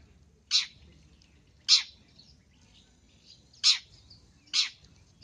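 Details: Long-tailed shrike call used for luring birds: four short, harsh, scratchy notes spaced irregularly about one to two seconds apart over a quiet, faintly humming background.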